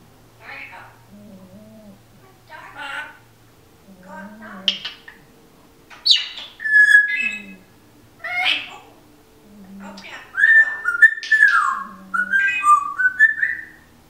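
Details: A female Timneh African grey parrot chatters in speech-like phrases, mixing in sharp rising whistles and squeaks over about fourteen seconds, with a dog snoring softly underneath.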